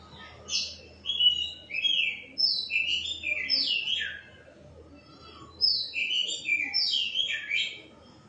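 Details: White-rumped shama delivering two bouts of fluent, high whistled song. Each bout is built from short slurred phrases that dip and rise, separated by a brief silence. A low steady hum runs underneath.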